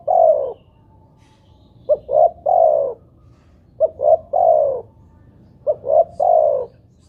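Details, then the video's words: Spotted dove (tekukur) call played to make doves sing; soft low coos, each phrase two short notes and a drawn-out final coo, repeated at steady intervals. "pancingan burung tekukur buat derkuku agar bunyi"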